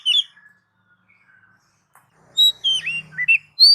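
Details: Oriental magpie-robin song used to stimulate pet birds: a short note, a pause, then a burst of varied whistled and warbled notes jumping in pitch, with a low hum underneath.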